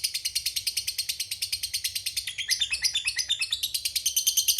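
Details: Lovebird of fighter type giving a long ngekek chatter, used as a lure to provoke rival birds into answering: a rapid, steady run of sharp, high chirping notes that shift in pitch midway and continue unbroken.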